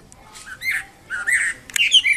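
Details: Wambi kembang mandarin bird singing vigorously: short bursts of warbled, slurred whistles that rise and fall, separated by brief pauses, with faint background hiss.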